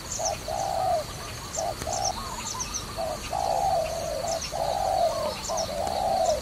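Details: Cooing dove at a trapping site: short notes and long, smoothly falling coos in an uneven run, with light high chirps from other small birds in the background.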